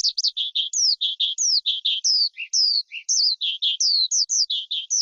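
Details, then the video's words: Forest skylark delivering a lively song of paired clipped chirps and slurred whistles that sweep downward, with two brief lower notes, all high-pitched and quickly repeated. "Tiếng Chim Sơn Ca Rừng Hót Hay Nhất"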